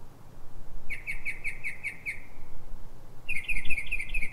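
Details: Night song of a Northern mockingbird in Silver Spring, Maryland, USA, recorded before dawn at 03:44: a phrase of about seven evenly repeated chirps, a pause, then a quicker series of higher chirps, against low hum.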